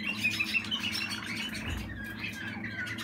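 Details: Young Waterslager (Malinois) canary from 2020 singing indoors: quick repeated chirping notes, then a softer warbled run, with a low background hum and a brief thump.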